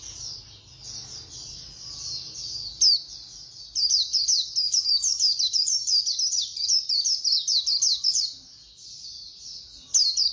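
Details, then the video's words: Khuyên Líu white-eye singing at speed: a soft high warble builds into a long, dense, rapid chatter of shrill slurred notes lasting several seconds, pausing briefly before resuming, in a quiet setting. "Khuyên Líu Hay _ Mau Mỏ _Tốc Độ _Tiếng chim Khuyên Líu"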